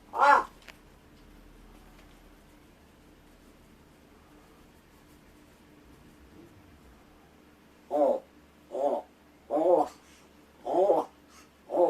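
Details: Rescued pet large-billed crow kept indoors, doing vocal practice while its owner pretends to sleep: one harsh caw at the start, a long quiet pause, then five short harsh caws spaced about one second apart near the end.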